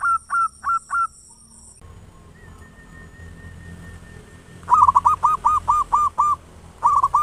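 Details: Local zebra dove singing loudly and actively, used as a lure to stimulate other doves to sing; the song has clipped, hooked coo notes in quick bursts with a pause between phrases.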